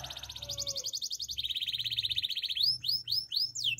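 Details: Russian canary song: a fast high pulsing trill drops into a lower rolling buzz, then breaks into loud rising whistled swoops repeated about twice a second; faint low hum underneath.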